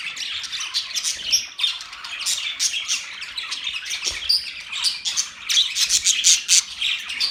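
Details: Several pet budgerigars in their cage give rapid, uneven chirps and scratchy squawks, about four notes a second, forming a lively overlapping chatter.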